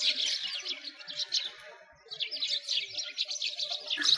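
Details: Wintertime sparrows near a frozen lake in Bratislavsky Park, Moscow: rapid high chirps from several birds, a brief lull midway, then the twittering chorus resumes strongly, ending on a sharp bright note.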